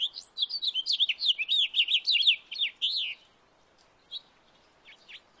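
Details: In a backyard, a house finch delivers a fast, jumbled warble of slurred chirping notes for about three seconds, followed by quiet with a few scattered chips.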